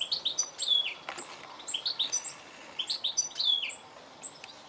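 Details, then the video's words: Goldfinch calling in rapid, high chirping runs, each note quick and slightly descending, grouped into lively twittering phrases with brief pauses. "Goldfinch call"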